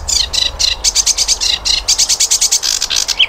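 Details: Flycatcher known locally as sikatan londo, a recording meant for tutoring cage birds. Rapid series of high, buzzy, rasping notes, about six per second, ending in a short whistled slur. Steady low background hum.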